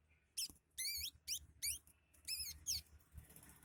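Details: High, rapid sunbird song, described as mixing in imitations of sparrows and prinias; wavering, warbled phrases and sharp twittering sweeps follow each other in quick succession, with low background hum.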